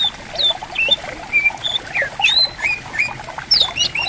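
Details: Riverside bamboo forest with greater green leafbirds calling back and forth. Quick whistled slurs and high, sweeping chirps tumble out rapidly above the constant sound of gently running water.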